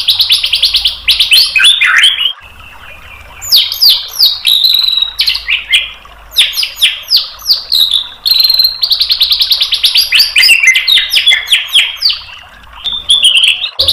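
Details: White-rumped shama tutor song meant to provoke a bird into answering: long bursts of rapid, high, stuttering trills and sweeping whistles, separated by brief pauses.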